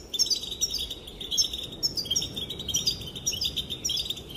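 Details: European goldfinch female, whose calls reportedly make males dance, twittering steadily in dense, liquid, high-pitched chirps and trills that run almost unbroken through the whole stretch.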